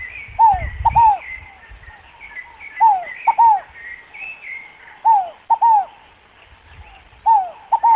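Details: Scaled dove calling: paired, arched, hollow coo notes, each pair repeated every two to three seconds, over steady higher chirps of other birds in the background.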